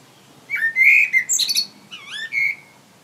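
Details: Common blackbird singing up in a tree: a mellow, fluted whistled phrase that swoops and slides, followed by a brief squeaky, high twitter and another rising whistled note, in a quiet setting.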